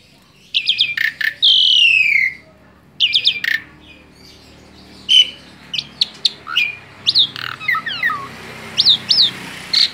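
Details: Asian pied starling, a tame bird, delivering a long varied run of sharp chattering notes, a slurred descending rasp and quick upward whistles, busiest toward the end.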